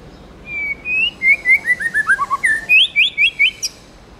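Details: A tamed white-rumped shama delivers forest-style song: level whistles, then a descending ladder of quick slurred notes, then climbing upswept whistles and a final high sharp note.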